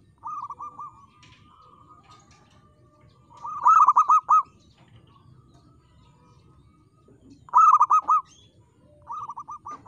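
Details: Local zebra dove singing actively with a clear, crystal-toned voice: soft rolling cooing phrases answered by louder bursts of quick repeated coos, about four seconds apart, over a low background hum.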